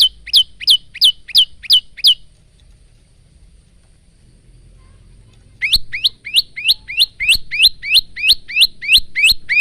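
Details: Male bar-winged prinia singing vigorously, a training song for caged birds: rapid rows of high piercing chips about three per second, broken by a three-second silence before the series resumes.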